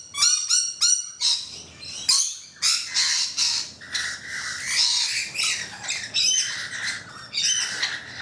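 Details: About thirteen rainbow lorikeets on a balcony and roof give harsh, high screeching squawks and rapid chattering bursts, several birds calling over one another almost without pause.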